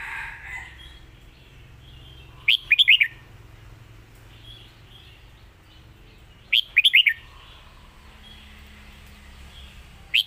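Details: Lak Wai style master song from a caged red-whiskered bulbul: short bursts of five rapid, bright whistled notes repeated about every four seconds, over a low background hum.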